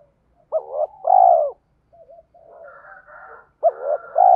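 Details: Lure cooing of a spotted dove meant to provoke rival males: short rising notes run into a long, full falling coo, then softer wavering murmurs, then a new phrase begins.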